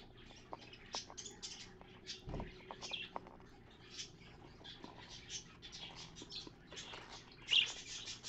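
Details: Parakeet at work clearing out a nest box, seen through a mirror; rambling high twitters and scratchy chirps, with one sharper chirp near the end and scraping noises in between.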